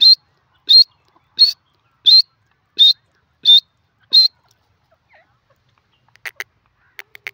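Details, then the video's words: Piercing high call notes of a grey francolin (desi teetar), seven in a regular series about two-thirds of a second apart, then a pause and a few quick, softer clicky notes. "desi teetar ki awaz"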